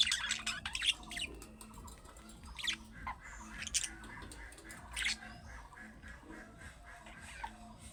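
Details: Budgerigar chatter in the calling style of young birds, meant to make pet budgerigars answer: soft, scratchy chirps and squeaks scattered over eight seconds, louder clusters early and fainter warbling later, with a low hum underneath.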